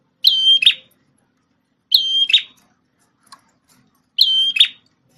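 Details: Prinia with a red head, formerly a tutor for a magpie-robin, sings three loud identical phrases: a steady high whistle with harmonics then a short buzzy rattle, spaced about two seconds apart in quiet surroundings.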